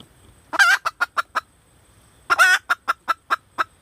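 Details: Female red junglefowl: two bouts, each opening with a loud rasping squawk and trailing into a string of quick, evenly spaced clucks.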